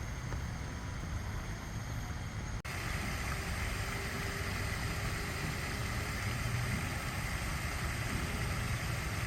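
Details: Continuous broadband rumble like a motor or rushing water, broken by one brief click, and no animal voices.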